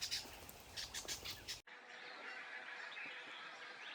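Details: A Brown Honeyeater calls noisily on a morning near Lake Samsonvale in South-east Queensland, a quick run of loud, sharp chips for about a second and a half, then an abrupt cut to steady hiss with faint background calls.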